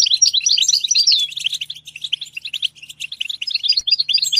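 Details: European goldfinch singing in a stimulation recording: rapid twittering of tinkling, chattering notes with liquid trills, a brief drawn-out whistled note early on, and a short pause midway before the chatter resumes.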